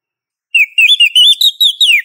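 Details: Female Oriental magpie-robin calling a male: after a brief silence comes an unbroken run of short whistled slurs that climbs slightly, then ends in a falling note.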